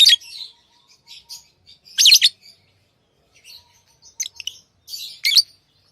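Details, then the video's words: Chirps from pet lovebirds, tamed: harsh high bursts about every second or two with soft chattering between, and a faint thin steady tone in the background. "Love birds Sounds | lovebirds chirping sounds"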